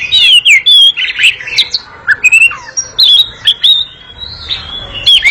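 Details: An Oriental magpie-robin delivers a long, brisk, noisy chattering song, mixing clear slurred whistles with rough chattering notes and short pauses between phrases.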